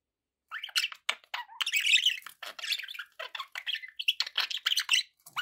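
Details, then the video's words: Budgerigar chirping: a rapid, busy run of short scratchy chirps and squawks, bright and harsh, running almost nonstop after a brief silent opening, with no other sounds. "budgie sounds"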